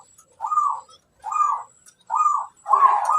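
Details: Local zebra dove song meant to lure other doves: four separate rolling, slightly rising-and-falling coo phrases spaced under a second apart, clean and clear.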